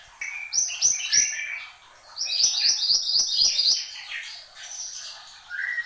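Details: Horsfield's babbler (mantenan gunung), singing busily: bursts of rapid high chirps and trills, some sliding whistles between them, a pause, then a long fast chattering run, ending with a lower rising whistle.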